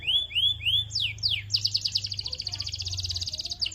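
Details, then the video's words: Canary singing to encourage other canaries to sing: three rising whistles, two steep descending notes, then a long fast rolling trill, with low hum underneath. "UNSTOPPABLE Canary ❗STIMULANT❗ Fast RESPONSE In 30 Minutes ❗"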